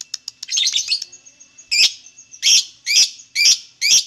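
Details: Lovebird sound meant to provoke lovebirds into singing: soft ticking chips and a rapid scratchy flurry, then five loud, harsh, high chirps spaced about half a second apart.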